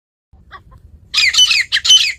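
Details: Grey francolin, locally teetar, calling in a village setting: after faint, soft notes, a rapid burst of four loud, harsh, screechy high-pitched notes, the second and fourth ringing longest.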